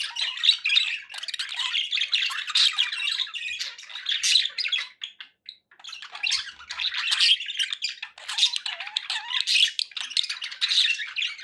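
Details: Indoor budgerigars keep up a long, almost unbroken warble of raspy chirps, clicks and squawks, with a few brief pauses in the middle.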